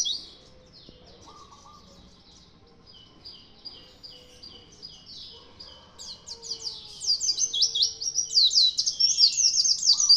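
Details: Caged white-eye in strong, lively song: rapid high twittering phrases about twice a second, growing louder and denser in the second half, with faint lower tones in the background.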